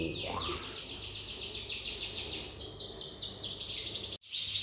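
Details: Large imported canary, possibly a Rasmi or large Yorkshire type, sings a fast, bright, high-pitched run of repeated trilled notes without pause, with a faint low voice and background hum beneath.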